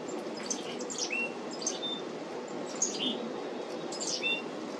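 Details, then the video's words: Black-capped chickadees calling at a feeder, 17 July 2025. Brief high chips come in quick groups, several tipped with a short lower whistle, about four groups in five seconds against low steady noise. "Black-capped Chickadees making cute sounds at the feeder"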